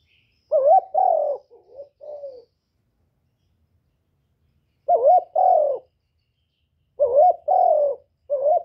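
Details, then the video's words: Captive spotted dove used as a decoy to stimulate other doves, recorded directly without background noise: three bursts of low mellow cooing, each made of two or three looping, wavering syllables, separated by silent gaps of about two seconds. "Tiếng cu gáy mồi / cu gáy đủ bài giọng hạp bổi kích mồi luyện bổi mau nổi hiệu quả"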